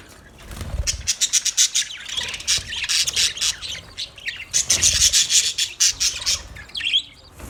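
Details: Chattering parrots recorded 20 November 2023, rapid pulsed high chirps in two long rhythmic runs, buzzy and harsh, separated by a brief softer spell.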